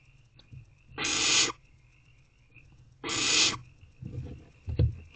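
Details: Two rasping hisses from barn owlets in a nest box, late evening of 3/5/24, spaced about two seconds apart, followed by soft thumps and scuffling as the young owls shuffle about, over a thin constant high whine.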